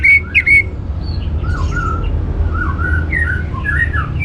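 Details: Orange-headed thrush singing as a teaser to spur other birds: a loud burst of clear whistled notes at the start, followed by softer slurred whistles and chirps against a low hum.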